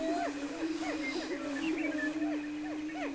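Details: Lekking greater prairie-chickens near Wray, Colorado, mid-April 2011, give a sustained low boom beneath a rapid series of arching, hooting whoops repeated about every quarter second.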